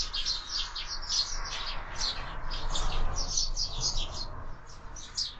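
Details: Sparrows at a window-mounted feeder, in the active phase of a meal, chirp busily, with short bright notes tumbling over one another about three times a second, over a low steady background rumble.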